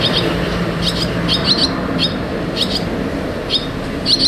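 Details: Nestling barn swallows going in and out of the nest give paired high chirps at intervals against a constant low traffic hum.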